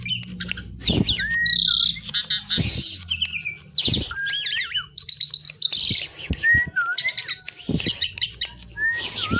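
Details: Asian pied myna, locally called jalak suren, in lively full song: a busy jumble of clear rising and falling whistles mixed with harsh, wheezy bursts and rapid clicking notes, delivered almost without pause, with low background hum.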